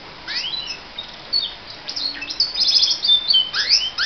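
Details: Pet canary singing, as it does every morning: sweeping rising and falling whistled notes and twittering phrases over a steady hiss of background noise.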